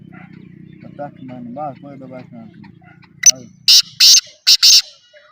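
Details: One of three black francolins (Francolinus francolinus) gives a loud, harsh burst of four grating, rasping notes in quick succession, after a man's voice and faint music.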